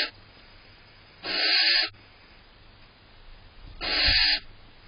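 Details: Female barn owl annoyed as the male eats cached prey inside a nest box on June 18th: two harsh, breathy hissing screeches, each about half a second long, separated by quiet room hum.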